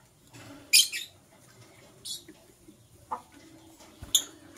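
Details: Green and blue masked lovebirds in the morning give three sharp, harsh chirps spread across a few seconds. Soft background clutter sits between the calls.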